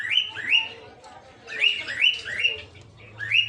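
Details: Peach-faced (rosy-faced) lovebirds kept in a breeding aviary, colour varieties including red-headed green opaline, red-faced dark green, blue rosy and lutino; bursts of sharp, rising chirps repeated in quick series, with several birds calling over a low background hum.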